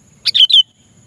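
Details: Sooty-headed bulbul giving a call to a rival, used as a lure sound: one brisk, liquid three-note phrase, quick and bubbling, ending on a clearer falling whistle.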